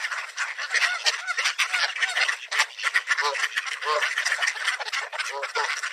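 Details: Feeding frenzy of mallards at a park, with a couple of Canada geese pushing in; busy overlapping quacks mixed with some nasal, honking calls.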